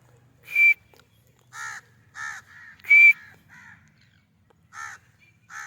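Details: White francolin (white teetar) calling: loud, harsh notes with a high whistled streak, given in irregular bursts about every half to one second, some softer, lower-pitched harmonic notes between, faint low hum behind.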